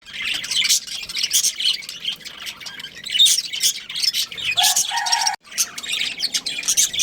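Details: Budgerigars, a breeding pair kept as pets, chirping and chattering in bursts of high, scratchy notes, with brief squawks and a short lower tonal call near the end.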